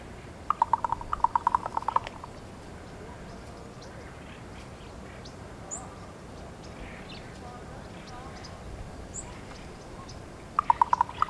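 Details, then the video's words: Female raven communicating with her mate gives a short burst of quick wooden knocks, then a long quiet pause with faint background sounds, then another fast knocking rattle at the end. "Female raven making different sounds"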